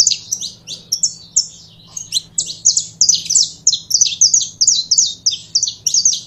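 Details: Saffron finch singing a long, lively sequence of sharp, high chirps, delivered in quick bursts almost three per second, over a steady low background hum.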